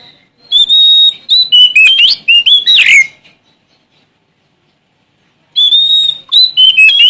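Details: Sumatran Oriental magpie-robin male singing to challenge rivals, delivering loud clear whistles and rapid varied slurred phrases for about two and a half seconds, falling silent, then resuming with another long whistle and quick notes.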